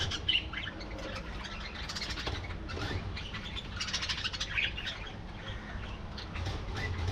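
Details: Colony of budgerigars chattering together: dense, overlapping high warbling and squeaky chirps from many birds at once, occasional flapping wings, over a constant low-pitched background hum.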